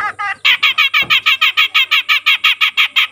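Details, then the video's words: Grey-cheeked bulbul, a young untrained bird that is now vocal. A short, softer twitter leads into a steady, rapid series of loud rasping notes, about five each second. "suara burung cucak jenggot bahan yang mulai rajin bunyi"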